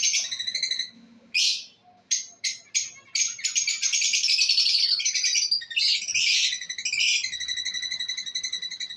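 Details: Breeding pair of lovebirds in busy, high chatter: a few sharp separate chirps, then continuous rapid buzzy twittering and trills for several seconds.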